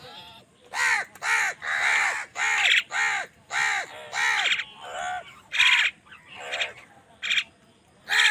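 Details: Angry crow calling while fighting other wild birds for food: loud, harsh, nasal caws with arched tones, roughly a dozen in eight seconds, given in quick runs with short gaps, some calls overlapping as other birds join in.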